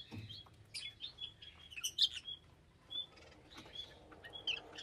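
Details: Lovebirds trading busy high-pitched chirps and squeaks, a run of quick notes peaking sharply midway, then a brief lull and a few more shrill chirps.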